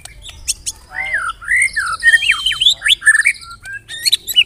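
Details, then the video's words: Murai batu, the white-rumped shama, giving a lure song to draw other birds into singing: looping whistled slurs rising and falling, interspersed with harsh buzzy clicks and high metallic notes. "LANGSUNG CEPAT NYAMBER TAK TAHAN DIAM MURAI MENDENGAR PANCINGAN INI"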